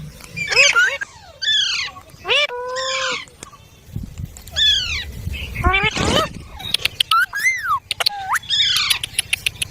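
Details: Green baby parrot chirping: harsh, harmonic squawks that rise and fall. The calls come in short bursts with brief gaps, and sharp clicks sound near the end.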